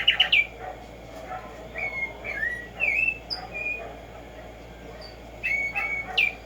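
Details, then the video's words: Black-striped sparrow, known locally as tumba yegua or tico tico, singing in the morning in nature; a series of clear whistled notes around mid-high pitch, some slurred and rising, spaced irregularly, with brief higher accents and faint low hum underneath. "HACER TRINAR a Tumba Yegua Audio para estimular el CANTO a estas bellas aves"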